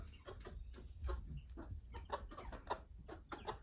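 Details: Flock of domestic chickens kept on a family farm, soft, fairly distant clucking as many short clipped notes overlapping at an irregular pace, with low background hum.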